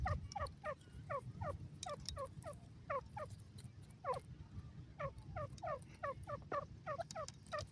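Indian francolin calling in a loud, rapid series of harsh, clipped notes, grouped in quick bursts, over a steady low rumble of background noise.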